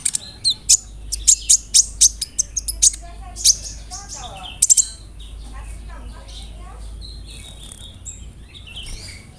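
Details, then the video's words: Sunbird (kolibri ninja) song with cricket, cililin and sparrow fillers: a quick burst of sharp high ticks over the first few seconds, then quieter scattered chirps from other birds in the background. "PANCINGAN SUARA BURUNG KOLIBRI NINJA (KONIN) ROLL NEMBAK, ISIAN JANGKRIK, CILILIN, GEREJA, CERR"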